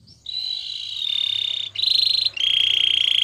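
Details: Singing canary for training delivers long sustained rolling trills, steady and bright, broken by two brief pauses into three sections with slightly shifting pitch.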